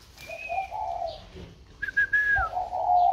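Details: Spotted dove in a box after purchase, still calling: a short low coo, then another bird's bright flat whistle, then the dove's hoarse coo returning at the end.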